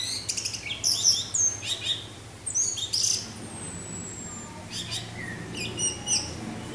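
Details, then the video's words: Orange-headed thrush in 'teler' style song, a rapid series of high, sharp chirps and descending whistles in short phrases, one long thin whistle sliding downward, with brief pauses between bursts and a faint low hum underneath. "suara angin dengan suara anis merah teler"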